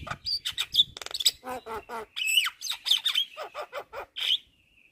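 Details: Vigorous Javan myna (jalak kebo) masteran song crammed with fill-in phrases: quick chattering notes, a fast clicking rattle, rising nasal squawks and a final drawn-out whistle fading away.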